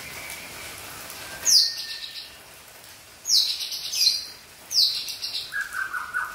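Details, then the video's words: Wild young Aceh white-rumped shama from the forest: a faint low whistle, then three sharp high downward-swept phrases with buzzy tails, ending in a lower fluttering trill. "Murai Aceh Muda Hutan"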